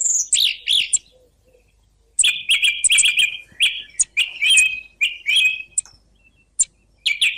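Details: Song thrush in song: two quick opening notes, a silence, then long sequences of rich, trilled whistled phrases, each repeated before changing, ending after another pause with a fresh phrase.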